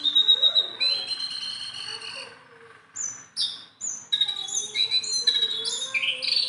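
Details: Tame, hand-friendly Sunda bulbul singing persistently: long level whistles near the top of the range, then clipped high notes and rising, slurred phrases after a short pause, with a faint low warbling sound beneath.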